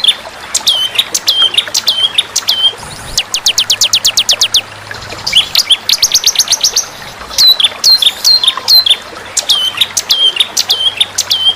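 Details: Competition white-rumped shama song in a training compilation with fighter birds: loud, varied whistles with sharp downward hooks, a quick burst of rapid repeated notes, a short buzzy stretch, then more clear whistled phrases.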